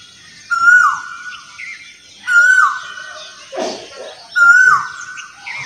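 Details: Asian koel song: loud clear whistles repeated roughly every two seconds, each a sustained level note sliding down at its end, with a brief harsher sound between the second and third.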